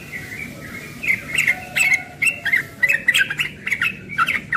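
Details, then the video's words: Morning ropel song of a young yellow-vented bulbul, a fast stream of liquid, gurgling whistled notes in short bursts several times a second, punctuated by crisp clicking ticks. "Trucukan muda ropel pagi"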